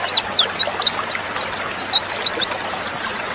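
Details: Female white-eye (pleci) sound used as a lure to provoke males into singing quickly, as in the wild: a rapid series of high, thin whistled notes sliding up and down, about three per second, over a faint hiss.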